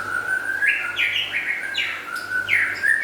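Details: A white-rumped shama, described as local and forest birds, sings a steady low whistle broken by bright upward-stepping phrases about three times a second.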